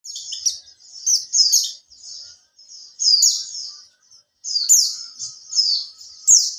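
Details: Caged Oriental white-eye (pleci), kept for three months and starting to learn the 'buka ekor' style, sings a lure song to prompt other white-eyes: high, thin twittering phrases in bursts with brief pauses, plus a faint click.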